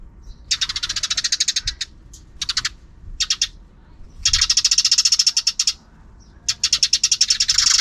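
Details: Sparrows calling in the afternoon, some out of sight: bursts of rapid, buzzy chirps repeated in dense trains of about one to one and a half seconds, separated by short pauses, high-pitched and harsh.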